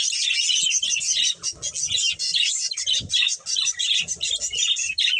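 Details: Steady chattering warble from a breeding pair of budgies, high, raspy and unbroken for over five seconds, with low knocking sounds scattered underneath.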